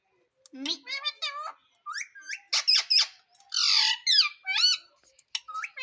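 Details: Indian ringneck parrot, a talking pet taught to say "mummy", gives a run of rapid, nasal, rising-and-falling squawky syllables with rich overtones. Short gaps separate the phrases, and a harsher, noisier burst comes near the end.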